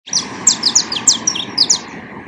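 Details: Saffron finch (canário-da-terra) singing in nature: a quick series of high, sharp descending chirps and short slurred notes, about a dozen in two seconds, with a faint steady hum underneath.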